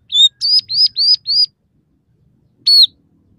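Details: Emprit peking, or scaly-breasted munia, singing with borrowed phrases: five clear arched whistles in quick succession, a second of silence, then one more matching whistle.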